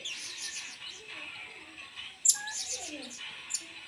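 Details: Blue-crowned hanging parrot giving its 'main singa singa' song style, used as a lure: thin, high squeaky chirps in quick clusters, with a sharp louder note near the middle and faint lower sliding tones behind.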